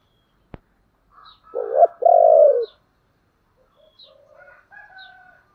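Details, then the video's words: Spotted dove cooing in the thổ voice style, an urging and calling coo: a sharp click, then two loud low hooting notes, the second longer and slightly wavering, followed by softer, quieter coos. "cu gáy giọng thổ Thúc và gáy gọi hay"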